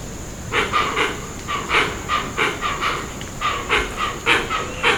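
Hoatzin giving harsh, wheezy growls in quick bursts, about three a second, over a steady high insect-like hiss.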